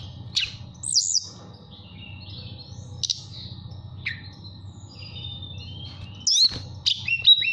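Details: Caged mountain tailorbird in Purworejo, Central Java, whistling in 'nyuling' style to call a female: scattered high, thin notes and sharp chips, with a louder burst of clipped whistles toward the end over a low background hum.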